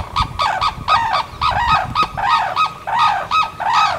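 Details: Sarus cranes, usually seen in pairs, in natural habitat at Bharatpur, India; loud, strident trumpeting notes in a rapid series, about nine harsh harmonic blasts within four seconds, over a low rumbling background.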